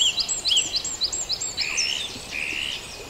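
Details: Birds sing at dawn in Farndale: a quick series of high, looping whistled notes, then two longer buzzy, level trills, with other birds faintly behind.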